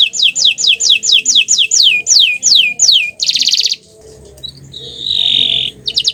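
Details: Bottle-green canary song: a series of clear high down-slurred whistled notes repeated roughly twice a second, then a dense buzzy trill, a pause, and a sustained rattling roll.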